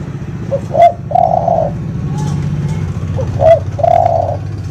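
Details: Spotted dove song used as a master recording to train birds: soft, mellow coo phrases, a short note followed by a longer drawn-out coo, given twice over a steady low engine-like hum.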